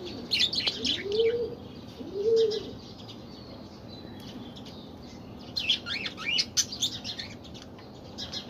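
Budgerigars chatter in quick, scratchy, high warbling bursts, with low cooing notes between.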